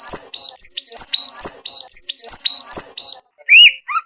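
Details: Greater green leafbird training song: high, bright whistled phrases with a short click-like onset, repeated about twice a second, ending after a pause with two lower rising whistles.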